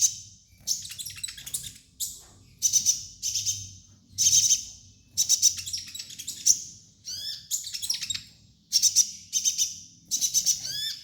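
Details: Kolibri ninja sunbird singing for use as a master song: fast metallic trills and sizzling high chirps in repeated bursts, a few down-slurred whistles, soft background hum.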